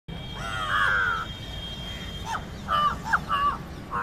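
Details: Indian jungle crow giving a distinct call meant to frighten other birds: one drawn-out harsh, nasal caw, then after a pause a quick run of four short, hoarse caws, with a steady low background hum.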